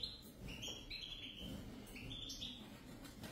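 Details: European goldfinch pair singing short, clear twittering notes in small clusters, some rising, some level, spaced through the passage above a steady low rumble.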